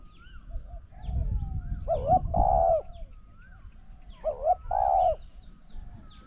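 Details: Spotted dove used to lure a wild bird: two hollow coo phrases about two and a half seconds apart, each a clipped note before a long quavering coo, with soft whistled notes and low rumbling behind.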